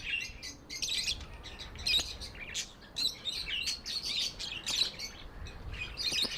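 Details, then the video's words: Steady budgerigar chattering: continual high, buzzy chirps and warbles with small clicks, loosely rhythmic and unbroken for several seconds. "Budgies amazing love & chirping sounds"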